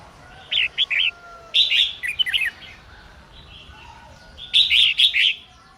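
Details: Red-whiskered bulbul female singing to provoke males: three separated bursts of quick chirpy whistles, the middle and last phrases fuller and tumbling, over a low steady background rumble.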